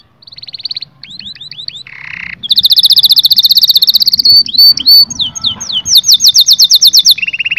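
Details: A canary's song, meant to stir both sexes to breed, with a thin steady whistle, a few rising slurred notes, a short buzz, then loud rapid trills and looping whistles that switch between repeated phrases.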